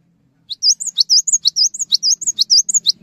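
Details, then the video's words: Rapid high whistled phrase of a Cinereous tit, meant to provoke other tits to sing: rising-falling notes alternating with brief high pips, tightly spaced over about two and a half seconds, over a soft low hum. "GELATIK BATU GACOR | Bikin Gelatik Lain Cepat Terangsang Untuk Ikutan Bunyi"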